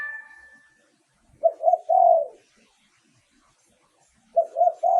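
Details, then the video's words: Spotted dove decoy cooing, recorded for luring wild birds: two low three-note phrases about three seconds apart, each with two quick coos and a longer sliding final coo. A faint tonal sound fades out at the start. "เสียงต่อนกเขาใหญ่ เสียงชัด"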